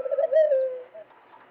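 A dove gives a soft, low, hollow coo, swelling and then fading over about a second, with a faint second note after it.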